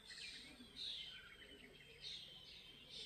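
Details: European Bee-eater at the Izliv Soče nature reserve on 14 June 2024 gives soft, rolling high calls about once a second, faint against a steady outdoor hiss.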